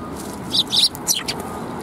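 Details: Sparrows at a Tenmangu shrine on 9 December 2021: two quick bursts of bright, high, short chirps in the middle of the clip, over a low steady background hum.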